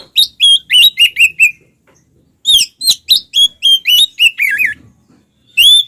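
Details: Oriental magpie-robin fighting song to provoke other males: two runs of quick, clear whistled notes with harmonics, each slurring downward, repeated about five times per second, then a final bright whistle.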